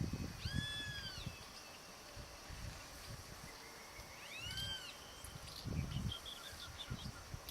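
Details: A seriema foraging at Pousada Piuval in the Pantanal gives two loud, yelping notes that arch up and fall, each about a second long, several seconds apart, over low wind rumble and faint chirps.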